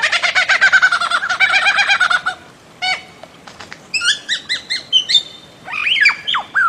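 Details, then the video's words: Bird-of-paradise calling: a dense run of harsh, harmonic-rich nasal notes for about two seconds, then sparse clicks and a series of short, sharp repeated calls ending in loud downslurred whistles. "Bird of Paradise Calling Sound"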